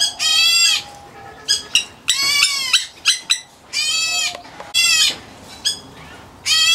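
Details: A White-headed Black bulbul (Hypsipetes leucocephalus) chick, an aviary bird, gives harsh, raspy, nasal calls in bursts about every second, some with a slurred falling whine.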